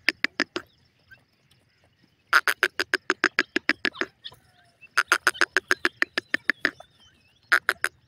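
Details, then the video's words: Black francolin kept in a home, calling in three bursts of fast, harsh, evenly spaced notes, each run lasting one to two seconds, with brief quiet gaps and a faint thin whistle in the background. "hosar teetar ki awaz"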